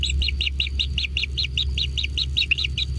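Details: Kingfisher nestlings being fed at a natural nest, producing a regular string of high, clipped chirps, about five per second, above a constant low background hum.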